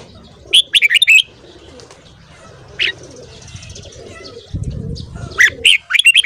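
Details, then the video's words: Morning singing by a red-whiskered bulbul. A quick chattering phrase of bright whistles is followed by a single note, then, after a low thump, a second rapid phrase begins. "Luyện giọng chào mào hót sáng .kích giọng chào mào hót hay"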